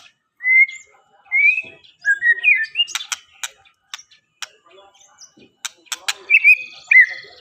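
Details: White-rumped shama singing slurred whistled phrases that rise and fall, mixed with sharp clicking ticks. The song comes in short bursts with brief pauses between them.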